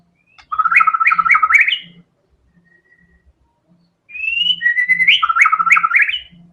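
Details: White-rumped shama in a full 'tembakan' song bout, showing its varied fills. A dense burst of rapid, jumping whistled notes is followed by a near-silent pause, then a smooth whistle that launches another fast, choppy run. Faint regular low knocks accompany it.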